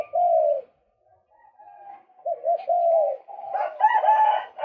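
A male white-breasted waterhen gives low, hollow slurred notes in short bursts, then breaks into rougher, harsher croaks at the end.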